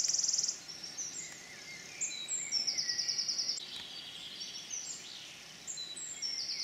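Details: Wood warbler, Forest of Dean, 6 May 2018: short bursts of very high, rapid, shivering trill open the recording and return midway, between quieter stretches of thin, scattered bird notes from the woodland.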